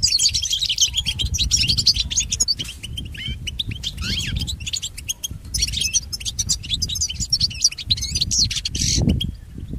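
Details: European goldfinch song used for training pet goldfinches. Tumbling phrases of bright twitters and short trills come in bursts, with a few downward-sliding notes. A brief lower sound near the end over constant low rumble.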